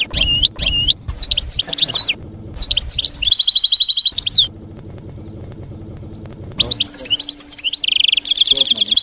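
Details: Campero song of a European goldfinch, played for young goldfinches to copy; bursts of lively tinkling twitters and buzzy trills separated by a quiet stretch with low hum, resuming with fast rattles.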